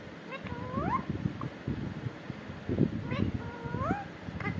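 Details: Parrot said to be speaking the word "katore": two rising, harmonic voiced calls about three seconds apart, heard over loud low-pitched background rumble and noise.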